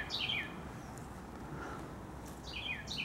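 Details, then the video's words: Carolina wren outside a home in Upstate New York, with two loud bursts of rapid, slurred whistled notes falling in pitch, one at the start and one at the end, separated by a pause over steady background hum. "Carolina Wren in Upstate NY"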